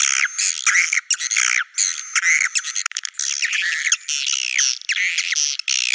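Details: Swiftlet lure recording in the Naga Merah style, aimed at attracting swiftlets to nests: many overlapping high, curving chirps and shrill twitters, forming a dense continuous chorus.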